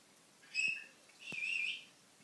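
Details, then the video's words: Pet African grey parrot, newly arrived in its home, chatting indoors: two clear high whistled notes, the first short and bright, the second longer and steadier, separated by a brief pause over a quiet, faintly hissing background. "the talking and singing African grey"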